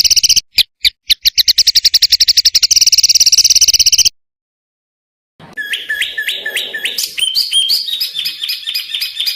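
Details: Songbird used as a training tutor for competition songbirds, delivering a rapid series of sharp high ticking notes that speed into a dense trill, a pause, then quick repeated whistled upslurred phrases.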